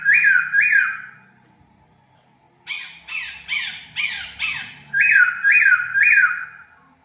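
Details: Decoy laughingthrush free inside a home for the first time mixes bright, bouncing whistled notes with a series of five harsh, broadband squawks, then returns to three whistles.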